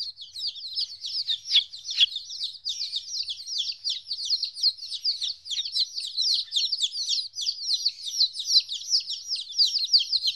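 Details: Several 14-day-old chicks separated from their mother for the first time, peeping constantly: high, downward-sliding cheeps overlapping in a dense, steady chorus with no pauses.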